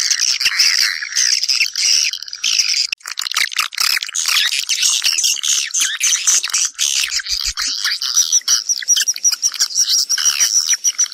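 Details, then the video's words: Swiftlets calling others to come and nest: a dense, continuous chatter of sharp, high twittering chirps and squeaks, overlapping with no pauses, loud throughout, with brief low thumps near the end. "Tiếng chim Yến"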